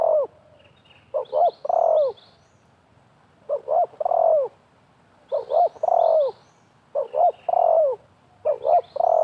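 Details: Spotted doves, a wild bird and a trapping decoy, trading calls. Five rhythmic phrases come about every two seconds, each two short coos and a longer falling one. Soft high bird chirps run in the background.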